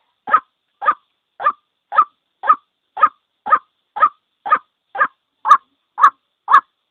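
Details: White-breasted waterhen, a single bird, calling as a lure for trapping: harsh, barking notes repeated steadily about twice per second, the last few louder and sharper, with no other sounds behind them.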